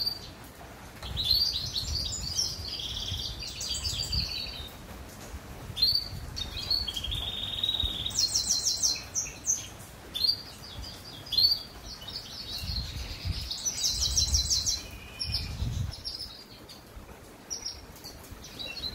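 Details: A goldfinch mule (goldfinch hybrid) sings on a rainy day: a lively, high twittering song of trills, buzzes and tinkling notes.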